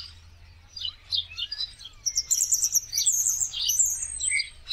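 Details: Common starlings in a large winter flock in India, a busy chorus of squeaky chirps and rasping notes that swells midway, with bursts of very high, thin twittering over scratchy lower chatter.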